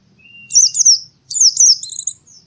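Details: Oriental white-eye singing in the morning: two rapid bursts of high, thin, warbling twitters, each about half a second long, separated by a short pause, with a faint lower whistle before the first.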